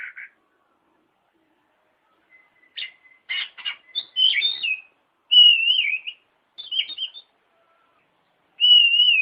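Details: White-rumped shama song to encourage a lazy bird: scattered buzzy notes build into loud drawn-out warbled whistles, spaced by quiet gaps of about a second.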